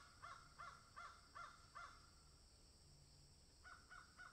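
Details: Five evenly spaced harsh caws from a crow that found something on a tree, a pause of over a second, then three more caws in the same rhythm.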